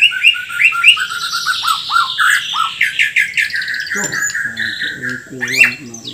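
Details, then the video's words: Borneo white-rumped shama singing hard with rough 'kasaran' fill-ins: quick clear whistled slurs and chirps give way to harsher, nasal squawking notes and a sharp upward sweep near the end. "MURAI BORNEO GACOR FULL ISIAN KASARAN SAMPAI TUMPAH - TUMPAH"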